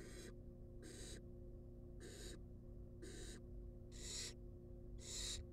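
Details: Hungry wild barn owl chicks at feeding time in a nest box, six noisy hissing screeches about a second apart, the last two louder and brighter, over a persistent low buzzing hum.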